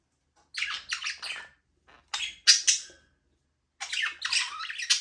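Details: Several budgerigars, Australian parakeets, kept in a small aviary: grating chirps in quick series. A three-note burst, two loud squawks, then a longer run of chatter.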